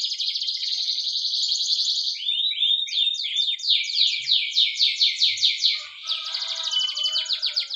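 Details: Training song of a Spanish Timbrado canary, a dense high trill at first, then quick repeated down-slurred notes and rolling bursts, ending in a buzzy rattle with softer notes beneath.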